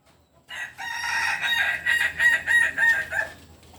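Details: Kukuak Balenggek cock, biriang kuniang variety, from Solok in West Sumatra, Indonesia: a strong crow with a sustained opening followed by four or five pulsed, terraced segments that end abruptly, in quiet surroundings.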